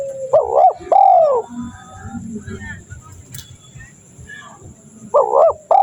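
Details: Lure call of a spotted dove used to draw in wild doves: a strong two-part coo opens, then a quiet gap with low rumble and faint hum, and the paired coo returns at the end.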